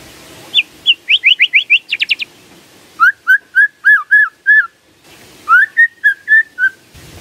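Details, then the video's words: White-rumped shama singing as a lure to provoke a response: quick upswept chips, a short buzzy burst, then repeated looping whistled phrases of about eight notes, over faint background hiss. "PANCINGAN SANTAI & EFEKTIF❗❗ murai DIAM langsung respon NYAUT❗❗"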